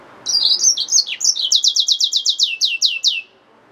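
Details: Hybrid finch, a yellow-fronted canary mule, opening with varied high twitters and a dipping note, then a steady series of about fourteen loud, rapid, sweeping chips that slow slightly toward the end.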